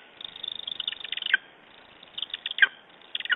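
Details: Lesser spotted eagle vocalising on a June morning in Estonia, 2011: short bursts of clipped yelping notes in three clusters, each ending in a sharper accented yelp, with pauses between.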